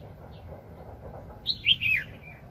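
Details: Wild red-whiskered bulbul, described as very aggressive, recorded during bird trapping in 2020; after a quiet stretch of low background rumble comes a brief loud burst of three or four warbled, chirpy notes lasting under a second.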